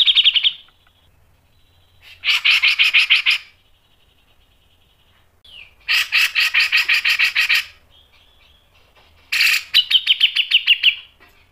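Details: Grey-cheeked bulbul song used as a lure for training, with sharp piercing phrases: three bursts of fast rattling buzzy notes, each lasting about a second, separated by short pauses with thin whistles.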